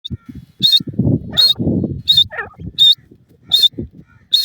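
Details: Iranian partridge female with her chicks: short sharp high calls repeated about every 0.7 seconds, over low rumbling and rustling noise in the first half.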